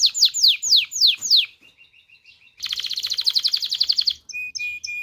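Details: Song of an excited canary for mating stimulation: five loud falling whistles, soft quick chips, a pause, a fast buzzy trill, then brief pure whistled notes.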